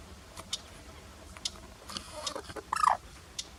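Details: A clamorous reed warbler at Al Asfar Lake, Al Ahsa, Saudi Arabia, gives a short burst of harsh, grating, chattering notes, loudest near the end, between scattered clicks and quiet gaps.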